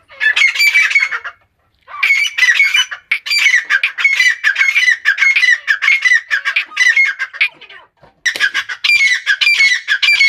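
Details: Loud, continuous grating calls from an Iranian female grey francolin: dense harsh squeaky notes delivered in long rhythmic bursts, broken by two brief pauses.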